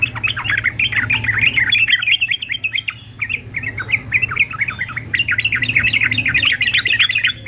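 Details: Yellow-vented bulbul fighter male, trained singer: continuous busy stream of rapid chirping and warbled notes with a brief slower stretch midway before the dense chatter returns.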